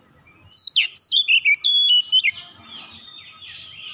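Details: Oriental magpie-robin calling: a quick run of clear, varied whistled phrases, some sliding down and some sharp and chirpy, lasting about two seconds, then softer twittering fading into the background.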